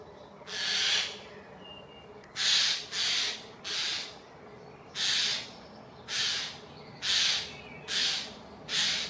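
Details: Eurasian jays harassing an eagle owl in Germany's Dannenberg (Elbe) on 31 May 2024, driving it away within two minutes; about ten short, harsh, scratchy screeches at uneven intervals of roughly one second, with a faint whistle behind.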